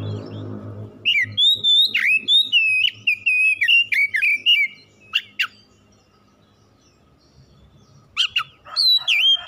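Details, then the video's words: Oriental magpie-robin kept at home, recorded as a fast lure for singing: a low rumble gives way to a long run of loud, clear, wavering whistles, then a pause and a further burst of sharp whistled notes. "PANCINGAN CEPAT PAGI SIANG MALAM KACER RUMAHAN CEPAT GACOR"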